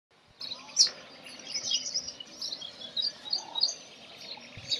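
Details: Brown rock chat, also called Indian chat, giving a busy run of high, sharp chirps and twittering notes. The notes come in quick bursts, with steady background noise.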